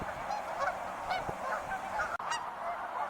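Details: Wild geese honking, with several harsh nasal honks overlapping and repeated through the recording over a steady hiss of background noise. A brief dropout breaks the sound near the two-second mark.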